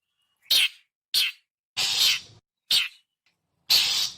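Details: Long-tailed shrike calls for luring wild birds: two short rasping chips, a longer grating screech, another chip and a final drawn-out harsh note, each cleanly separated.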